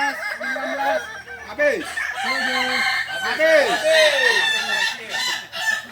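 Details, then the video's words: Practice crowing contest of balenggek roosters in Ampang Kualo, Solok, Indonesia; several birds give long crows of repeated arched notes, some sliding downward, overlapping one another, after a man counts and calls the end. "Latberan ayam kukuak balenggek"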